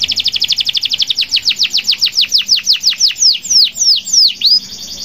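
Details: Local canary singing strongly, intended to make other canaries sing. A rapid string of falling whistled notes gradually slows, and the final notes are long, deep swoops.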